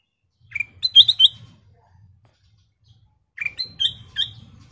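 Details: Sooty-headed bulbul (kutilang emas) in full song: a lower slurred note leads into rapid bright whistled notes, and the phrase repeats after about two seconds. Faint low rustling sounds in between.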